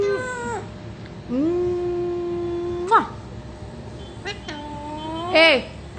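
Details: Talking parrot producing drawn-out, voice-like tonal notes rich in harmonics, some level and some sliding downward at the end, broken by sharp clicks, over a low steady background hum.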